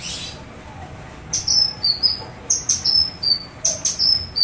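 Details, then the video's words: Cucak kinoi singing as a lure to get other birds singing, starting after a quiet second: high, sliding whistles falling in pitch, given in quick groups of two to four notes. "Masteran & Pancingan Kinoi KASAR NGEBREN"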